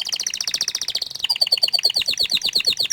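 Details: Canary, described as shy, sings a fast rolling trill of high repeated notes, then switches to a bright, crisp series of chirps at a similar quick pace.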